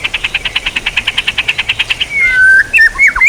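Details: White-rumped shama training song opening with a steady, fast train of about twenty-two identical clipped notes, then shifting into a long level whistle and several short twisting phrases.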